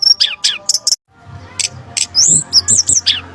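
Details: Brown-chested jungle flycatcher used as a trapping lure: sharp descending chirps and high squeaky notes, a brief pause, then a lively burst of high twittering, rising and falling whistles over a low hum.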